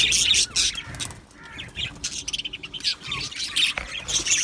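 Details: Aviary flock of budgerigars, Australian parrots, chirping in loud bursts of high chatter separated by quieter gaps holding soft warbling and fluttering notes, rapid pulses several per second; low hum underneath.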